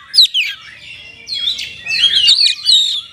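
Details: Oriental magpie-robin kept in a cage, singing a gacor song with rich isian to rouse listless birds: scratchy slurred notes and warbling, buzzy phrases, fairly short, with faint low rumble beneath.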